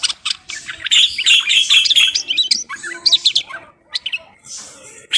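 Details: Moroccan common bulbul song: dense run of sharp, chirpy whistles and bubbling trills, fast and varied, then a brief pause before a few more clipped notes.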